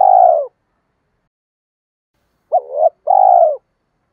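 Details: Spotted dove coos used as a lure to stir male doves into fighting and calling, kept by bird trainers: end of one purring note, then after a pause a hooked coo and a long vibrating purr.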